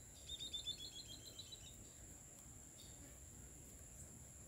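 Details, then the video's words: Chestnut-bellied seed finch (curió), a "fenômeno" singer, gives a quick run of high, clear whistled notes lasting under two seconds, then fading, over a steady high-pitched hiss. "Curió fenômeno na pegada"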